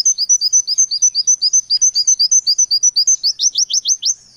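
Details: Oriental white-eye in 'nembak' song with varied material pours out a rapid, high run of sharp chirps, about four a second, ending in quick sweeping notes; nothing else is heard.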